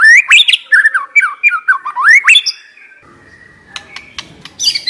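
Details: Captive white-rumped shama used as a decoy bird, singing loud, clear whistled phrases that swoop and slur up and down, followed by a quieter stretch with short sharp notes and a final high burst.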